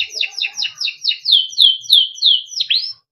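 A Timbrado canary sings a rapid run of bright, chirpy notes, about three per second, sliding into clear falling whistles and ending on a rising note.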